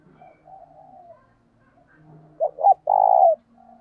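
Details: Spotted dove calling hard to lure wild doves, decoy training with urging 'thúc' notes: quiet soft cooing at first, then a loud phrase of two brief choppy coos followed by one long, steady croon.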